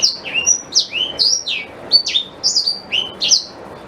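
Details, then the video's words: Black-throated canary, sung as a lesson for a white-rumped shama: clear, separated high notes, each sweeping steeply up or down, about two to three notes per second, in quiet surroundings. "Suara Asli Blackthroat Pas Buat Guru Murai Batu"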